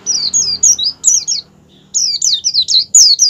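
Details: Oriental white-eye singing in rolling "ngerol" and "ngalas" styles, a fast, high, twittering run of slurred whistled notes, about four phrases a second, broken by one short pause.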